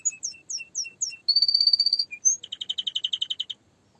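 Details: Canary in song: falling whistled notes with low partners, a sustained buzzy trill, a single rising whistle, then a fast pulsing rattle before fading out.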